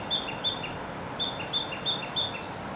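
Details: Narcissus flycatcher singing from a tree in Gifu Prefecture, Japan, in May 2024: clear, high whistled notes, each followed by a softer lower slur, about three per second in two bursts, over faint hiss.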